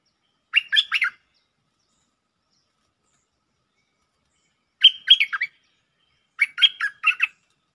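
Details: Lure recording of bulbul song in the Jao Bank style with doubles: three fast, chattering phrases of clustered bright, warbled notes, spaced by pauses of one to three seconds, with no other sounds.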